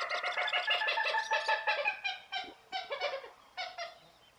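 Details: Common gallinule (Gallinula galeata) calling a loud, hurried series of harsh, harmonic clucks that slows and breaks into spaced pairs and single notes, fading away by the end.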